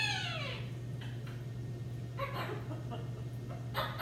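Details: Two pet macaws calling indoors: a descending, harmonic-rich squawk opens, followed by harsh, broadband screeches near the middle and end over a steady low electrical hum.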